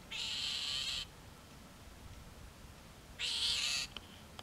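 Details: Iberian grey shrike recorded at Castelo Branco on 5/7/2019: two harsh, broadband rasping calls, each nearly a second long and roughly two seconds apart, over faint background hiss.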